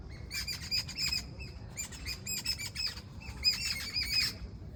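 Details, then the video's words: Birds in the morning, giving bursts of rapid, high chirps and short tweets in clusters, with brief pauses between bursts and a low background rumble. "sound of birds in the morning"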